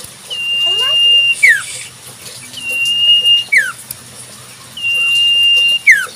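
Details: Sirtu song of a wild Common Iora: three long, steady whistles roughly every two seconds, each ending in a quick descending slur, over a soft natural background.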